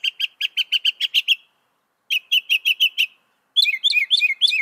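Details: A northern mockingbird, credited with mimicking around 200 sounds, repeats bright chirped notes in two bursts, then switches to a different scratchy, warbling phrase repeated several times.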